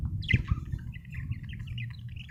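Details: A budgerigar gives one sharp, bright chirp followed by a string of short, evenly spaced tweets, with a few low knocks and a faint hum underneath.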